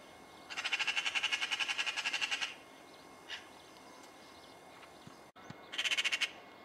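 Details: Eurasian magpie in Cyprus giving a harsh, rapid chattering rattle, about ten notes a second for two seconds, then a shorter burst after a brief pause.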